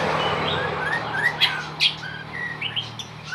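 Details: Binla bird calling: short whistled notes rising and falling, with sharper chirps scattered over about three seconds above a steady low hum.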